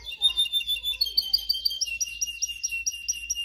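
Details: Canary singing, used as training song for other canaries: a steady, fast, high trill of evenly repeated sharp notes, opening with a brief warble, clean with only faint background hum.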